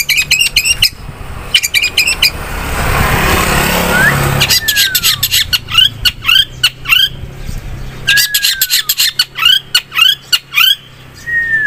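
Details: Long-tailed shrike singing vigorously as a lure song. Bursts of harsh, buzzy broadband notes repeat in rapid series, with clear downslurred whistles between them. A loud rushing noise covers the middle section, and a low hum runs underneath.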